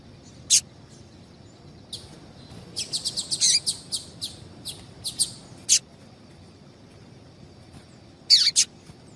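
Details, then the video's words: Female double-collared seedeater calling, a call used to get males singing: sharp, high chirps scattered irregularly, a quick cluster in the middle seconds and a doubled note near the end, over a quiet background. "Faça o teste com Esse Piado de Fêmea de Papa capim é Seu Papa capim Vai Ficar Cantando RÁPIDO!!!"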